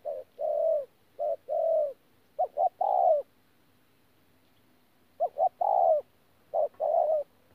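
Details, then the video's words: Spotted dove, a wild-caught bird, giving 'thổ pha gù' style coos at Tu Mơ Rông in January 2019: paired short-then-long hollow notes, then a pause of about two seconds before two more phrases, with a faint low hum behind. "BỔI THỔ PHA GÙ QUÁ TỐT"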